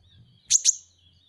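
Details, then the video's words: Van Hasselt's sunbird, the kolibri ninja kept as a pet songbird, delivers a quick pair of bright, very high-pitched chirps about a fifth of a second apart, with a faint thin whistle and a low hum behind. "masteran KONIN dacok ngobra ngobra"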